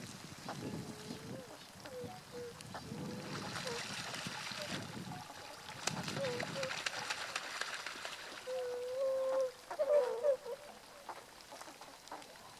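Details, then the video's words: Tundra swans filmed 1 January 2014: soft wavering notes early on, then a long drawn nasal call and a quick cluster of higher notes near the end, with splashing water and background noise. "コハクチョウ "Cygnus columbianus" の鳴き声"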